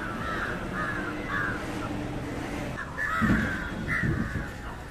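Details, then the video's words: Indian jungle crow calling while feeding on fish, harsh cawing notes in a run of short bursts, a pair of calls near the start and another pair later, over steady low background rumble. "Indian Jungle crow (Corvus culminatus) Call and behavior feeding on Fish"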